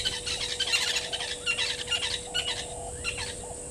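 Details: Blacksmith Lapwings, two parents and two juveniles, give sharp, metallic clinking notes in irregular bursts, about two a second, over a faint electrical hum, at Gowrie dam waterhole, Djuma, Sabi Sand, South Africa, 09:53, 12/02/19.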